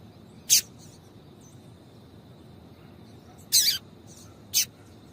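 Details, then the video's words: Calling female double-collared seedeater meant to excite the male; three isolated, high, clipped chip notes, the middle one slightly longer, separated by long silent gaps with a faint background hiss. "Piado de fêmea de Coleiro Chamando Quente para Esquentar Coleiro tui tui"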